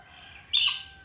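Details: A single loud, rasping screech from a red lory, sudden in onset and fading over about a third of a second, with no other sounds.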